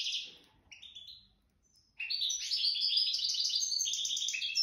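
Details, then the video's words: Goldfinch of wild stock, raised from the nest, singing in the jadr al-sallaka style: a few short high twitters, a brief pause, then a continuous rapid stream of bright, tinkling, twittering notes. "تغريد ويداني خلوي ولد الوكر (جدر السلاكة)"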